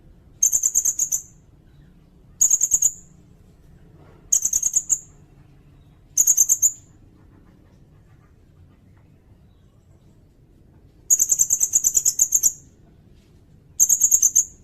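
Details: Sirindet song recorded as training material for songbirds and for luring, in six bursts of very high, thin rapid notes separated by pauses of one to several seconds, with a quiet background.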